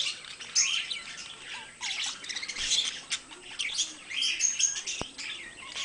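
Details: Pet budgerigars, two birds, produce a rolling, rasping warble of chirps in clustered bursts, with a few high pure whistles and a single click near the end.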